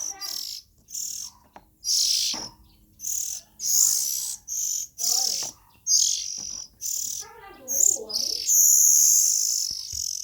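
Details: Harsh hissing calls of young Oriental magpie-robins come in rapid, uneven bursts, with quieter warbling notes mixed in partway through.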